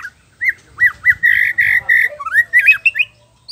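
An oriental magpie-robin sings a quick, varied run of clear slurred whistles, rising and falling around a middle pitch, with a few harsher scratchy notes mixed in.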